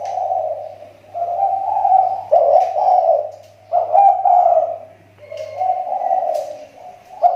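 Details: Lure spotted dove in the Riau Islands whose voice has started to recover: repeated hoarse, rolling coo phrases in four or five uneven bursts, backed by a low steady hum.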